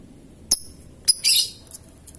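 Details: Lovebird in ngetik and long ngekek style: a thin high tick, then a short burst of rapid shrill chirping, with faint ticks trailing off over low hum.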